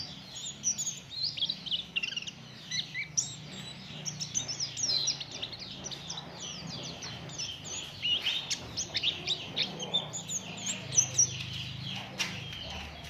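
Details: Oriental white-eye song used to lure other birds into singing: dense, rapid high twittering with many quick downslurred chirps in busy overlapping bursts throughout, over a low steady hum.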